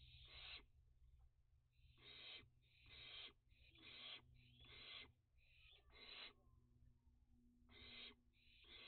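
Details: Young barn owls calling at dusk on 29 June 2021 amid a heatwave and drought, active around a bird bath; a long series of harsh, hissing screeches, each about half a second, repeated roughly every second, over a low steady hum.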